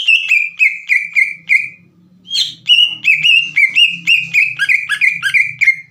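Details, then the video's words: Green leafbird in full song to trigger other leafbirds to sing: evenly spaced loud whistled notes, a brief pause, then a dense rapid run of flicking whistles over a faint low hum. "PANCINGAN CUCAK IJO GACOR AGAR CUCAK IJO BAHAN IKUT BUNYI"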